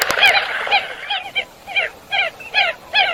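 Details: Eurasian coot giving a run of short, nasal, honking notes with a harsh edge, repeated roughly twice a second with uneven spacing, and a few clicks at the start.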